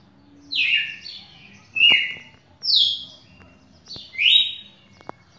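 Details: Champion red-cowled cardinal singing, recorded 11 May 2019. Five or so ringing, slurred whistles, mostly falling in pitch, come at uneven one-second intervals, with a few faint clicks in between.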